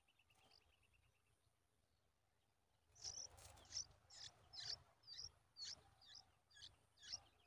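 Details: Bulbul chicks begging, stretching toward a parent bringing a spider in her beak, give sharp, high, scratchy chirps in quick bursts about twice a second, preceded by faint distant twittering.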